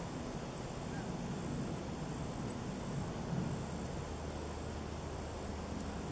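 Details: A Bachman's sparrow hidden in wiregrass in open pine/wiregrass habitat, Gainesville, Florida, gives four very high, thin, sharp call notes about two seconds apart over a steady low rumble of distant traffic.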